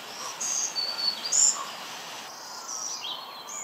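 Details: A migrating Black-throated Green Warbler at Mount Auburn Cemetery, Cambridge, Massachusetts, in May sings its distinctive second song type, a short, high, thin song of about five buzzy notes at five different pitches, over steady background hiss.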